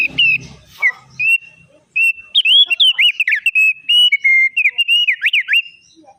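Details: Opior, kept as an Indonesian songbird, singing vigorously with a distinctive voice: a steady run of clear whistled notes, rising and falling slides and quick trills at a bright mid-high pitch, after a brief low rumble at the start.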